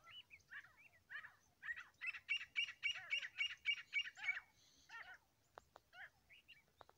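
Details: Grey francolin (desi teetar) pair calling: scattered scratchy notes build into a fast, even run of about ten sharp, ringing notes, then fade into sparse chirps and a few dry clicks against faint background hiss.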